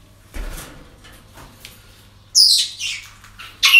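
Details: Parrots at a breeding centre on an ordinary day: rustling and soft noises, then a run of loud, harsh, high squawks with one more at the end, over a steady low hum.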